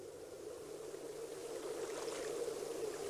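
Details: Steady rushing, flowing water-like noise with a faint hum carries on throughout, and no animal calls are heard.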